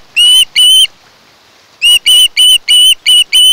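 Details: Nest-cam osprey on Kent Island, Maryland, 1 August 2018: two drawn-out shrill whistles, a pause of about a second, then five more loud piping calls in rapid sequence.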